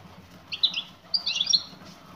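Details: Brief calling from a female European goldfinch to a male: two quick bursts of high, tinkling twitters, the second longer and more jumbled.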